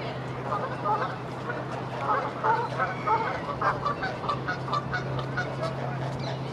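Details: Grey heron on a boathouse roof, nattering uneasily and moving away because a pair of herons sits at the other end of the ridge; a rapid series of harsh, low croaking notes over a steady low hum.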